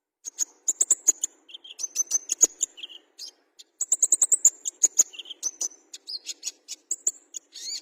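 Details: Fighter-type olive-backed sunbird in full song: rapid, very high clicks and chips strung together with thin whistled notes and short buzzy phrases, pausing briefly before resuming.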